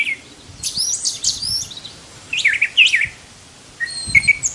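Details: Brown thrasher, said to have some 1,200 song types, singing three short bursts of varied, quickly slurred high notes and buzzy trills separated by pauses of about a second.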